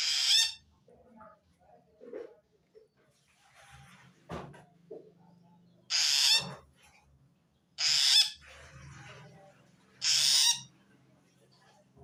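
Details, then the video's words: Long-tailed shrike calling to wild shrikes, a sound said to show it feels threatened by another shrike; four harsh, hissing, broadband bursts about half a second long, spaced irregularly, with faint scattered clicks and knocks between. "suara aneh burung cendet"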